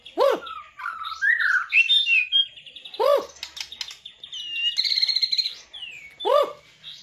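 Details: White-rumped shama, known locally as murai batu, showing its bowing style and rich filler song: loud arched whistled notes repeated three times, between them warbled chatter and a high rapid trill.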